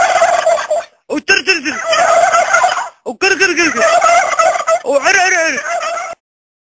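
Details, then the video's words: A turkey gobbles in loud, rapid rattling 'krkrkrkr' bursts, a bubbling throaty trill repeated several times with brief pauses between. "Funny Turkey Making Funny Sounds Krkrkrkr"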